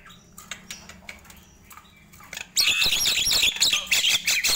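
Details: Nias hill myna singing in the morning: after quiet faint chirps, a loud dense burst of harsh squawks and whistles begins midway and continues to the end.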